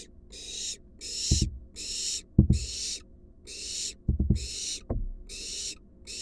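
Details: Barn owl, wild, at a nest box where an adult brings a big rat to the fledgling: repeated breathy screeching hisses in a steady series, with loud scraping and thumping bursts between them.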